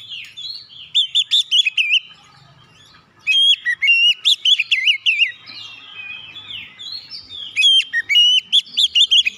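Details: Oriental magpie-robin song meant to provoke other birds into singing: varied whistled phrases with sharp high piping notes and rolling warbles, a brief near-silent pause, then a stronger burst of rapid looping whistles.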